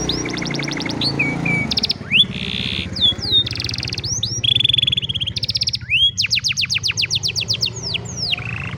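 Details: In the afternoon an old canary sings a rich medley of rapid trills, pure whistled notes, buzzy rolls and descending chirp runs, with low hum underneath.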